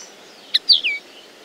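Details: Common linnet singing briefly: a sharp high chip followed by a slurred note sweeping downward, the phrase lasting under half a second against quiet hiss.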